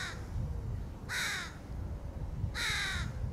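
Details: A crow feeding its 2022 young gives two loud, harsh, rasping caws about a second and a half apart, over a steady low rumble of background noise.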